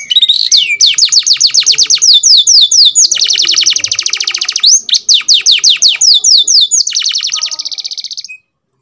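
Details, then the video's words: Canary of the F1 series, kept by a breeder, singing loudly: repeated descending whistled sweeps, then a fast buzzy rolled trill, more sweeping phrases and a final rapid trill before stopping. "KENARI F1 MEMANG KEREN"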